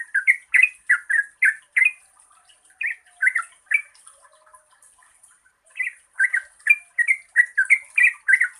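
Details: Yellow-vented bulbul (Pycnonotus goiavier), a long-phrased lure song to prompt quiet birds, gives rapid bursts of bubbly, liquid chirping phrases, several a second, with a short pause midway and a faint high hiss behind.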